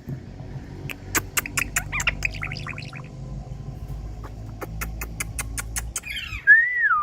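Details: Indian parrot imitating falling water drops with two runs of sharp, evenly spaced clicks, a few chattering notes between them, and one loud rising-and-falling whistle at the end, over a low steady hum.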